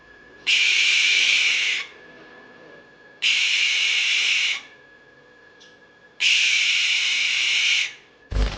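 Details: Barn owl (Tyto alba) screech: three long, harsh, hissing screeches, each over a second, about every three seconds, with a faint steady hum behind.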